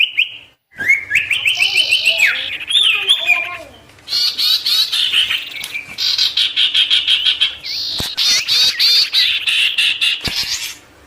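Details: Long vigorous sirtu song meant to draw wild birds: rising stepped whistles, then bursts of rapid chirping repeated in pulses, with scratchy buzzy notes throughout.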